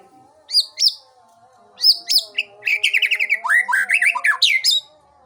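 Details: Showing-off song of a white-rumped shama (Murai Aceh): a few sharp upswept notes, then rapid repeated rattling phrases and chattering slurred whistles about four per second, over a faint continuous low tone.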